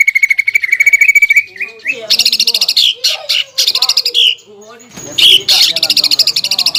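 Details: Lure song of a Greater green leafbird packed with mimicked phrases of other birds, used to anger and provoke a rival leafbird. A rising pulsed trill gives way to varied slurred notes and loud chattering bursts, then ends in a fast buzzy series.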